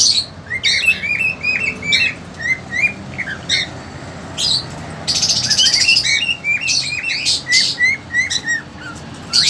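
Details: Pet cockatiels in a cage, a two-month-old female and an eager male, keep up a busy series of short rising chirps with occasional harsh squawks and one longer rasping call midway.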